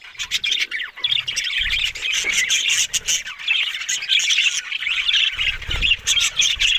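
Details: Budgerigars, Australian parrots, in a steady, busy chorus of warbled chirps, squeaks and short squawks overlapping without pause, with a few soft low thumps underneath.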